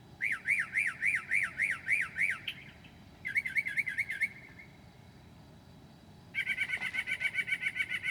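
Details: Mockingbird at 2 a.m. in July 2008, a mimic of other birds, sings three distinct bursts: a rapid series of rising-falling chirps, then a quick trill-like run, a pause, then a fast even rattle of repeated notes.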